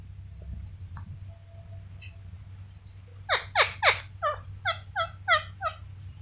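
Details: Pet Indian ringneck parakeet vocalizing indoors: after faint chirps, a run of loud harsh squawks rising then repeating in shorter evenly spaced bursts over about three seconds, with low background hum.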